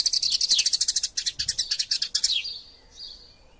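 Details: Fighting Eurasian tree sparrow, a tutor recording for songbirds: a quick burst of bright, even chirps for about two and a half seconds, falling slightly in pitch at the end, then fading to faint, thin notes.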